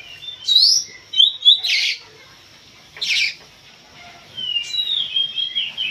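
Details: Kacer, the Oriental magpie-robin, in a pacingan face-off: a few high whistled notes, then harsh rasping bursts, ending in a drawn-out, wavering whistle.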